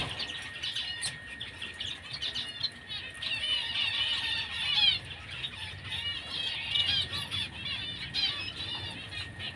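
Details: White-headed munia (Lonchura maja), also called white-headed mannikin or Emprit Kaji: dense, continuous high twittering chatter from many small birds calling together, rising and falling in loudness, over a steady faint background hum.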